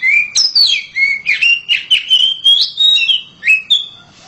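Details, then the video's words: Oriental magpie-robin kept at home, singing loudly: a continuous stream of clear whistled notes, rising and falling slides linked by short chirps, rolling along without a break. "KACER RUMAHAN KICAUNYA NYARING"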